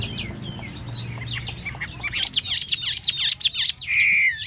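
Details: Chinese hwamei during a tail-fanning display. Soft chatter gives way to a rapid burst of sharp, high repeated notes, ending in a sustained level whistle.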